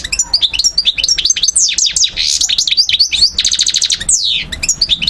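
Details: European goldfinch of the subspecies parva singing in Algiers, Algeria, 2012: a dense, fast twittering stream of high sliding notes, with a brief buzzy rattle and a quick run of clipped repeated ticks, then downward-swept notes.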